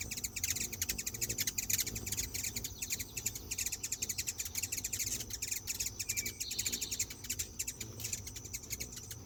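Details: Hummingbirds chattering together as they are fed by hand: a nearly unbroken stream of rapid, high, ticking chips and twitters, with a short buzz partway through.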